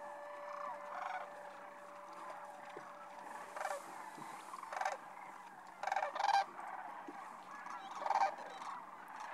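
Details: Sandhill cranes on spring migration in March, roosting on the Platte River at Rowe Sanctuary in Nebraska's Sand Hills; a steady murmur of distant crane calls, broken by several louder rolling, trumpeting bursts from nearer birds.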